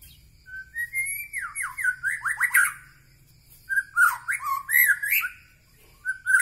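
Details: Medan Bahorok white-rumped shama: loud whistled phrases with quick downward slurs, a pause, then another burst of rich, bouncing whistles ending in rising notes.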